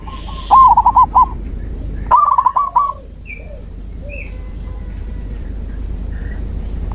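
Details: Zebra dove song to stimulate a mute dove: two quick bubbling bursts of short, ringing coos roughly a second and a half apart, then scattered soft chirps of other birds.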